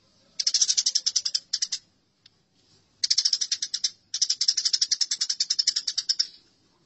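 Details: Fighting house sparrows give rapid, scratchy chatter in three bursts, each a quick string of sharp repeated chirps. A short quiet gap with a single faint tick comes after the first burst. Taken from a tutor recording for training birds.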